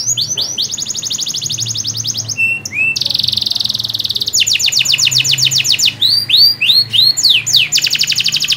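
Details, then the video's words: Singing canary, a recording meant to prompt a silent canary into song; rapid high rattling trills switch to buzzy rolls and looping downward whistles, nearly continuous throughout. "PANCINGAN SUARA KENARI GACOR UNTUK KENARI MACET !!"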